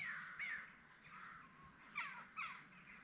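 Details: Peafowl at a peacock farm: several harsh, nasal calls with bright overtones, a drawn-out one near the start and two sharp shorter ones near the end, over faint background noise.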